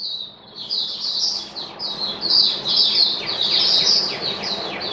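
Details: Caged oriental white-eye kept as a hobby songbird, recorded 11 September 2022 while its singing form had dipped a little: a continuous, rapid twittering of high, thin chirps and slurred notes, barely pausing, over faint low background hum.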